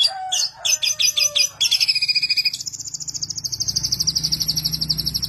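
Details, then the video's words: Mimicking songbird with a cracking, ringing voice: a jumble of varied sharp notes and a low whistle, switching into a long, very high, even trill of quick repeated notes. "burung jenius 1001 suara,suara cetar"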